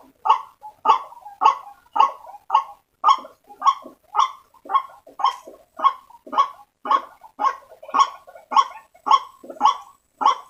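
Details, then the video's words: White-breasted waterhen calling, played as a lure to gather waterhens: a long, steady chain of harsh, hoarse croaks repeated almost twice every second without pause, loud and clear over silence. "Suara Pikat Ruak Ruak Paling Ampuh|auto ngumpul"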